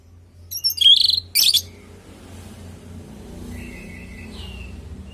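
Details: Singing orange-headed thrush, a natural recording meant to coax other thrushes into answering. A brief loud burst of sweet twittering notes is followed by quiet background with a faint distant whistle.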